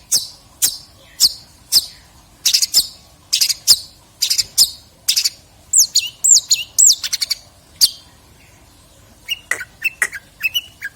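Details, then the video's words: Long-tailed shrike (cendet) delivering rich, complete fill content in 2022 training material for songbirds. Sharp clipped notes repeat roughly twice a second, followed by a cluster of swooping whistles and then lower, squeaky chattering phrases. "Burung Cendet materi MEWAH tahun 2022"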